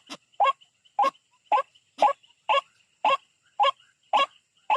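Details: White-breasted waterhen calling while attacking a rival, in a bird-trapping setting: a series of loud, harsh, nasal croaks, evenly spaced roughly every half second, each a short downward-bending note over a quiet background.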